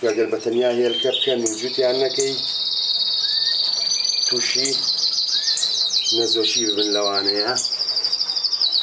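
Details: Melanin canary singing a long, continuous run of rapid rolling trills and warbled phrases held steady for most of the recording, with a man talking over the start and again near the end.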